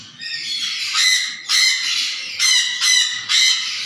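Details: Black-capped conure calling with loud, harsh, buzzy squawks, four rasping bursts spaced roughly every half to one second, each grating and noisy.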